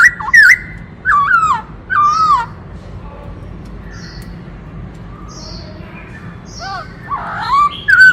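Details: Black-throated laughingthrush in its varied dancing song: a few loud wavering whistled phrases at the start, a quiet stretch with soft high notes, then renewed slurred whistles at the end.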